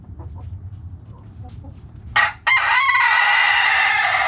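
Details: Backyard chickens: a few faint clucks, a short loud squawk, then a rooster's strong, drawn-out harmonic crow continuing to the end.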